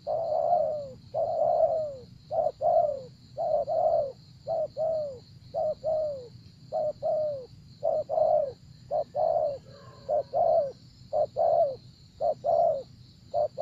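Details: Spotted dove in a decoy trapping session, cooing continuously: repeated short-long coo pairs, low and hollow, about one per second. Faint higher chirps appear midway, and a steady high hum runs underneath.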